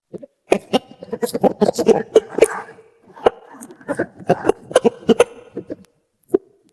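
Brahma chickens cluck in short, throaty bursts, a dozen or so scattered irregularly over several seconds, with a few sharper clicks between them.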